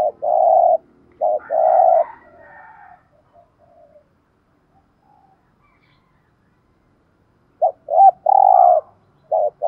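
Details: Spotted dove used as a decoy, 'giọng thổ' voice: loud mellow coo phrases of clipped notes plus a longer held coo, a pause of several quiet seconds with faint softer notes, then the phrases resume.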